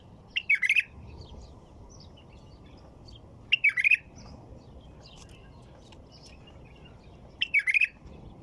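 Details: White-eared bulbul singing: three short, bubbly, warbled phrases, each about half a second long, spaced roughly three and a half seconds apart over a low, steady background hiss.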